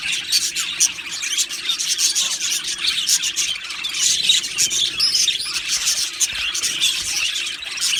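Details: Budgerigar colony in an aviary chattering continuously, a thick layer of high chirps, clicks and warbled squeaks from many birds overlapping through the whole stretch.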